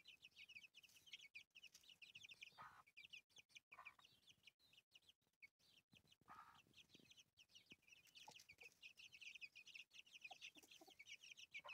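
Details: Hen with her chicks in the countryside: steady high peeping from many chicks throughout, with a few lower clucking sounds from the hen mixed in and short dropouts.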